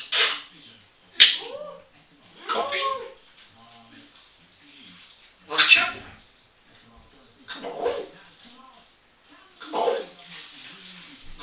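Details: Pet African grey parrot, a female aged eight, talking to herself in a bathroom; breathy, speech-like syllables and hissy bursts every few seconds, with room echo.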